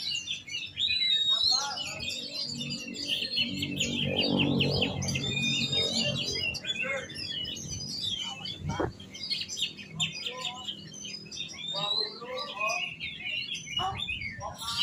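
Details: Long stretch of varied, rapid oriental magpie-robin song, with whistles and chirps repeated several times a second, partly overlaid by low rumbling and faint music.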